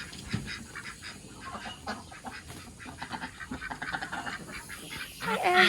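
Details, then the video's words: Domestic ducks by a pond being filled: a string of short, harsh quacks builds in loudness, with the gush of the filling water throughout and a louder splash at the close. "ducks noise while I fill pond"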